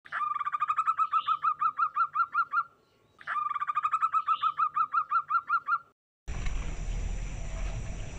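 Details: Local zebra dove calling and answering another bird: two bursts of rapid, evenly spaced, clear cooing notes, each lasting about three seconds with a short pause between. A burst of loud noise follows at the end.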